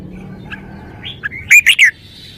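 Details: Red-whiskered bulbul showing its song: soft lead-in chirps, then three loud, quick, ringing warbled notes in a tight cluster.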